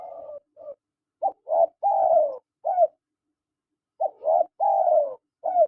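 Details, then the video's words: Soft hooting coos from male and female spotted doves, two clipped notes then a sustained falling coo, the pattern repeated after a short silence. "SUARA PANGGILAN TEKUKUR JANTAN DAN TEKUKUR BETINA"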